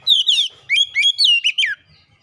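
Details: Kacer lure song: a busy phrase of falling whistles, rising slurs and a final downward sweep, about 1.7 seconds, with faint low background sounds.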